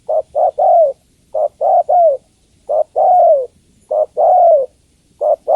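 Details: A female spotted dove calls the male with repeated mellow coos. Short notes lead into a drawn-out falling coo, in phrases about every second. The background is quiet.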